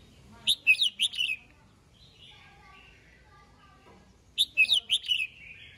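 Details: Red-whiskered bulbul singing in the morning, giving two short bursts of bright, warbling whistled notes about four seconds apart, with a fainter chattering murmur in between.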